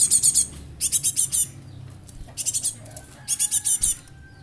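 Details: Young Java sparrow serving as a lure, described as rare and nearly extinct and suitable for tutoring; rapid series of high, piercing chips in four groups, with a faint steady whistle tone near the end.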